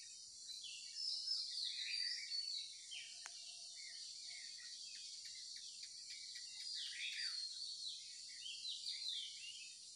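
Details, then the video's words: Birds chirping in the morning, bursts of quick, high, downward-sliding notes clustered in two bouts, with a single sharp click midway and a constant shrill buzzing drone behind everything. "the chirping of birds"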